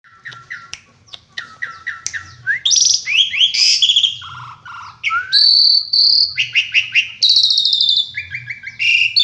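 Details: Asian pied starling in full, lively song rich in varied fill-in phrases: quick clear whistles, rising slurred notes, harsh buzzy bursts and high ringing trills. The phrases change every fraction of a second. A faint low hum runs underneath.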